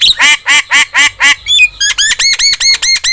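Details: Starling singing in an Indonesian training track for pet birds: five grating nasal squawks, a brief whistled twist, then a steady series of ringing arched notes, roughly four each second.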